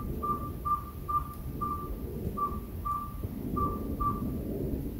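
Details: Suspected owl heard repeatedly outside a house: eight short, pure whistled notes on one pitch, delivered in a steady rhythm with a small gap midway, over a quiet rumbling background.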